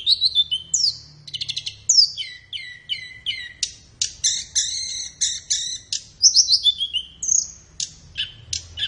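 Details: Flowerpecker tutor song meant for training caged birds in the morning or afternoon. Busy and continuous: descending slurred chirps, buzzy ticking bursts and stacked high whistles in a steady rhythm.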